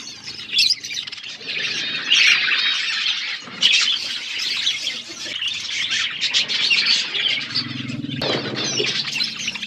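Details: Flock of budgerigars eating food, keeping up a constant, dense, scratchy warbling chatter with occasional louder squawks, and a low droning sound near the end.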